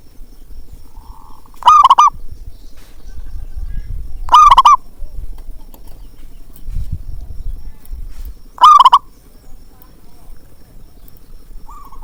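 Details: Zebra dove call recorded as a lure for doves slow to sing: three loud, bubbly, staccato coo bursts at irregular intervals of three to four seconds. Faint softer coos appear at the edges over low background noise.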